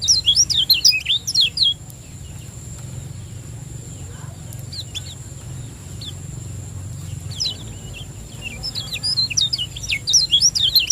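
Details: Lombok lemon-bellied white-eye in 'ciak joss' singing, meant as a training lure to stimulate other birds: a dense burst of sharp, high zigzag chirps at the start, near silence with a few scattered notes, then rapid chattering returns.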